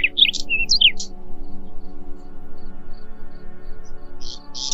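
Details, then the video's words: Whinchat delivers a quick phrase of scratchy notes and a short pure whistle right at the start, followed by a long pause and a buzzy fragment at the end, with a droning musical background. "ЛУГОВОЙ ЧЕКАН - Голоса Птиц | Whinchat - Saxicola Rubetra"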